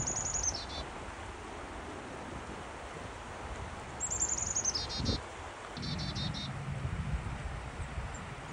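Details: A black-capped chickadee beside a river in North Carolina gives high, thin notes followed by runs of buzzy, rasping 'dee' notes, repeated a few times over a steady low rush of flowing water.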